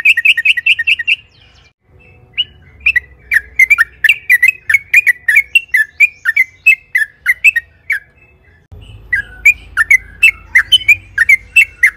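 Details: Yellow-vented bulbul (trucukan) song used as a lure for other bulbuls: a quick trill of chirps, then a looser run of ringing, inflected notes, a pause, and another chirping series over low background hum.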